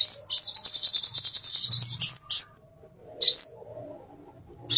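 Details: Plain-throated sunbird master song used to train caged birds: a long, fast, high trilling warble ending in a rising sweep, followed by two short upswept high notes.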